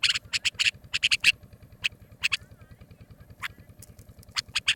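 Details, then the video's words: Nightingale, recorded for use in hunting: bursts of rasping, chattering notes in quick clusters, separated by pauses of up to a second, with a low mechanical hum running underneath throughout. "nightingale original sound. for hunting. بلبل کی آوازیں. شکار کیلئے"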